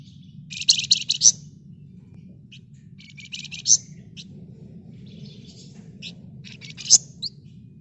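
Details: Red-whiskered bulbul in rapid ngebren rapat song for luring other birds: a loud burst of fast buzzy rattling, a quieter rattle, then sparse high chips and a sharp note, over steady low hum.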